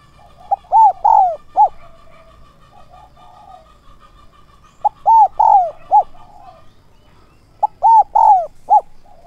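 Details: Decoy spotted dove calling to attract wild doves, son voice with thúc and gáy gọi. Three phrases of arched, mellow coos, each a quick pickup note, two drawn-out hoots and a short ending, spaced about three seconds apart, with soft low murmurs between.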